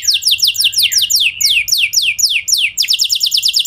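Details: Canary singing to draw replies from other canaries: clusters of bright, descending whistled sweeps in quick bursts, ending in a rapid, evenly pulsed trill.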